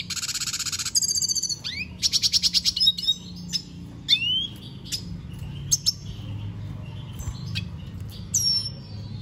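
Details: Singing Venezuelan goldfinch: an opening high buzzy trill and rapid pulsed notes, then scattered sharp chips and rising whistles, ending with a high thin whistle.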